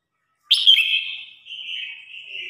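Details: Red-whiskered bulbul singing in competition, a song meant to call the flock: one loud, bright note that starts sharply, then a long, slightly wavering whistle that fades and drops a little over two seconds, with no other sounds.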